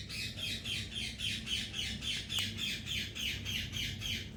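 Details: Indian ringneck parakeet giving a steady run of harsh, high squawks about three to four per second. Each note dips and repeats evenly. A low indoor hum runs beneath.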